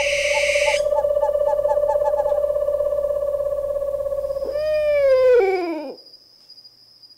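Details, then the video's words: An owl holds a long, steady mid-pitched tone with quick pulsed overtones for several seconds, ending in a wavering, downward-sliding whinny, with low rumbling background noise that fades away. "The Distinctive Calls of Owls"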